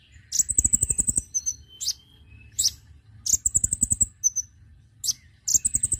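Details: Konin lure call used to bring birds close: three bursts of fast, high, rattling trills, each about a second long, separated by brief chirps and thin whistles.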